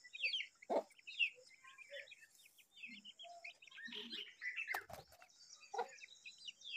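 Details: A baby Brahminy starling guarding an egg gives a busy, irregular run of squeaky, mostly high chirps and chattering notes, mixed with a few low clicks and scratchy sounds.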